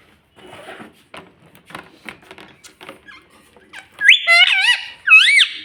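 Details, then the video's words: Soft murmuring and rustling for four seconds, then a pet green ringneck parrot breaks in with loud bent, voice-like squawking phrases in a small room. "Talking Parrot Mummy video"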